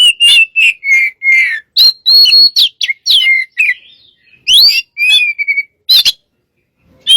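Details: Oriental magpie-robin singing gacor style, meant as a lure for other birds: a brisk run of clear whistled notes, rising and falling slurs and short chirps, with a brief pause before a few final sharp upswept whistles.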